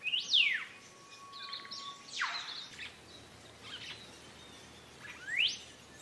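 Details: Song of a green leafbird used to train caged birds: a loud downward-sweeping whistle, a long flat tone, a second sweep, soft chatter, then one rising whistle near the close.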